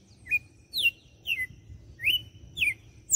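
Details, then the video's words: Red-cowled cardinal in the açoite song style, recorded in Fortaleza, Ceará, Brazil: about six sharp whistled notes in just over three seconds, alternating upslurs and downslurs, over a faint low hum. "Galo de campina - CANTO DE AÇOITE."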